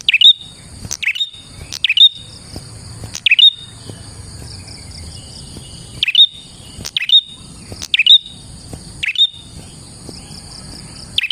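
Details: Prinia in lively song, used as a lure to trap prinias and to spur other prinias to sing: sharp, high chirps that sweep down into a brief bright whistle, repeated in bursts roughly every second, over a steady high insect-like ringing and faint low rumble.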